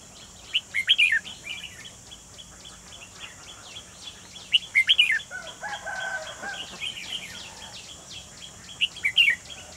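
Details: Red-whiskered bulbul used as a trap lure for wild bulbuls, 28 June 2020; three bursts of rapid, bright, descending chirps about four seconds apart, separated by quieter chattering notes, over background hiss.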